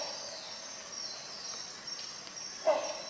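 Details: Rhinoceros hornbill giving a single brief nasal honk near the end, against a constant high-pitched insect hum.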